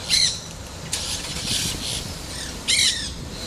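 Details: Nanday parakeet chewing stems in Pinellas County, Florida, 2 October 2014; a few short rasping squawks, one at the start and a sharper one near the end, with softer scratchy chatter between.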